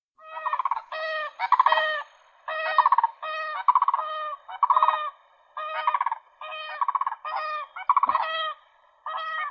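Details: Crane calling in loud, bugling, rattled notes with rich harmonics, given in pairs and triplets about once a second, clean with no background noise.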